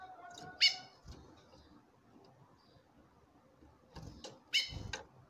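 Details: Two sharp, loud, buzzy chips from a female chestnut-bellied seed finch calling a male, about four seconds apart, with faint clicks and knocks between them.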